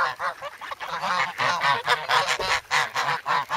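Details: Hungry young geese in the snow at Sloterpark, Amsterdam, on 3 February, crowding for bread, recorded on a Sanyo SH1 camera. Loud, harsh, nasal honks follow one another quickly, sometimes overlapping, with short gaps between them.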